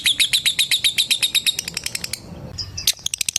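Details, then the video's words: Lovebird ngekek call aimed at a rival: a quick run of bright, high chattering notes that fades into softer ticks, then a brief burst of louder chips at the end. "Suara Burung LOVEBIRD Memanggil LAWAN Bikin LB Lain ikut NGETIK SAMBUNG NGEKEK. LABET NGETIK PANJANG"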